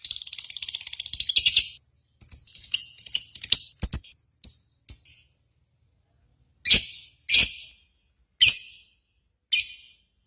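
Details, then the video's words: Lovebird lure for contest singing: a fast buzzy chattering trill breaking into irregular clicks and chips, then silence and four loud harsh chips spaced about a second apart. "PANCINGAN Burung Lovebird"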